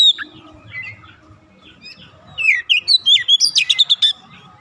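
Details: Oriental magpie-robin, a raw untrained bird joining in lively singing: after a quiet start, a rapid series of clear rising and falling whistles and bright chirps over about two seconds, with a faint background hum.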